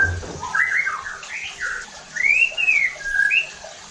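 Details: White-rumped shama song meant to provoke other shamas: blurred rough notes at first, then long arching clear whistles and a short high phrase.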